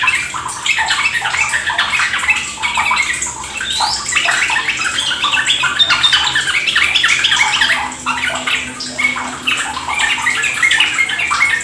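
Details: Sooty-headed bulbul (trucuk) in long, unbroken ropel song used as a singing lure. Fast chattering and warbled notes pour out steadily, with a faint whistle, over a hissing water-like background.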